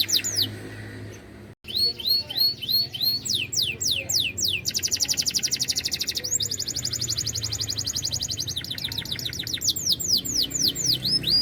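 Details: Canary with a loud, harsh song in eager singing form. Swooping downslurs and hooked whistles alternate with two stretches of dense, buzzy rattling trill, then return to repeated falling whistled notes. A brief gap comes early on.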